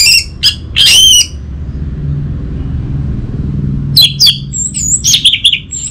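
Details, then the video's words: Orange-headed thrush, kept as a caged songbird in North Bali, gives loud broken phrases of rich chirping notes, then a quieter stretch and another run of quick varied notes over low background hum. "Siapa Sangka Burung ANIS MERAH Macetan Terpancing Gacor Didengarkan Kicauan Ini"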